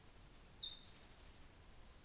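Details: Siberian blue robin at Hocchi in Minami-Karuizawa, Japan, 3 pm on a June afternoon: a few thin high introductory ticks, then a bright rapid trilled phrase that runs for about a second.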